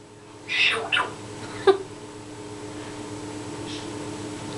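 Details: Rescued pet Congo grey parrot, a male that learned "Shut up" from a previous owner, gives three quick, rasping, voice-like utterances (mimicked speech, partly turned into "Sugar"), over indoor hum with a person speaking nearby.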